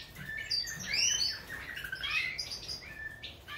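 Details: Goldfinch, subspecies major, in a fast liquid twitter of high sweeping and rising notes run together without pause, bright and tinkling throughout.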